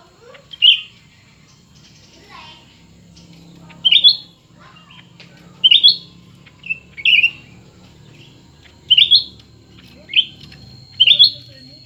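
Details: ['Two cucak ranting, new and old, competing: crisp short whistled notes repeated about every second or so, over a faint low hum.']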